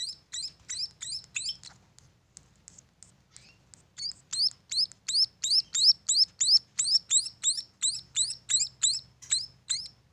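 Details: {'caption': 'Munia nestlings on a bird farm: a burst of high rising chirps, a near-silent pause of about two seconds, then a louder steady run of quick repeated chirps.'}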